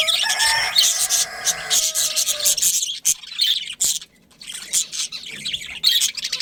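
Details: Budgerigar breeding colony with dense, raspy chattering that fills the first three seconds, then scattered scratchy chirps and warbles from several birds.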